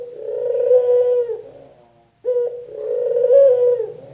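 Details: Male puter dove, local or white variety, a pet bird: two extended, mellow, throaty coos, each swelling then trailing off, with a brief silence between them, indoors.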